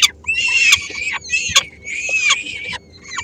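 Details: Peregrine falcon female with three-week-old chicks at Helmond, 13 May 2016, bringing a small piece of food: three loud, raspy screeching bursts, each about half a second long, with short breaks between them.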